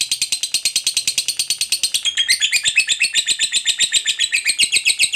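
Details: Lovebird of fighter type giving a long ngekek trill used as a lure to stir other lovebirds into singing: rapid, dense chattering high notes repeated about four times a second, running unbroken and growing slightly stronger midway.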